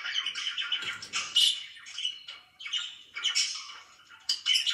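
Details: Pet budgerigars in the morning giving bursts of harsh squawks mixed with thin high chirps, each burst separated by short quiet gaps.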